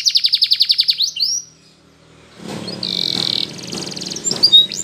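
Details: Spanish Timbrado canary singing in the morning, used for song training: a rapid series of about ten sharp repeated notes, then a brief lull, followed by a sustained metallic tone and a scratchy trill over low background rumble.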